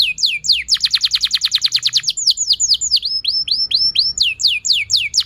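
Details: Singing canary played as a lure so other canaries start singing: a fast, steady trill of high notes for two seconds, followed by repeated falling and rising whistled slurs, each about a third of a second, clear and loud.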